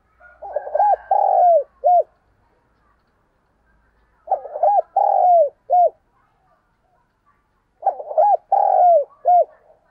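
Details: Spotted dove cooing as a decoy to lure doves: three phrases, each a few short hollow coos, a drawn-out central coo and a clipped final note, repeated roughly every four seconds against silence.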